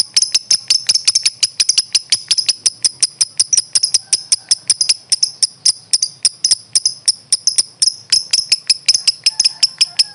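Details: Lovebird in a training master recording: a continuous stream of sharp, very high ticking chirps, nearly three per second, with a faint low hum beneath.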